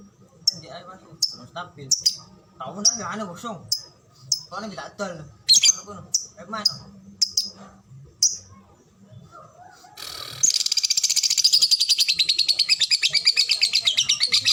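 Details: Lovebird kept as a fighter bird, singing in the ngetik (typing) and ngekek styles: sparse sharp high ticks under a man's talk in Indonesian, then a long, dense, rapid chattering trill of very regular pulses for the last four seconds.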